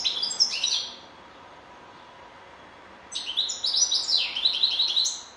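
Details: Goldfinch song: a brief twittering phrase, a two-second silence, then an extended rush of bright, rapid chirping notes.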